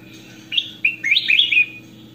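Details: Goldfinch in lively song used as a master for other birds: a fast run of five bright, sweeping twittered notes blending into each other, with a low continuous hum behind.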